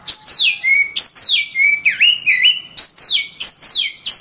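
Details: Oriental magpie-robin training song: repeated high notes sweeping steeply downward into steady lower whistles, rhythmic and loud, with a dipping slurred note in the middle.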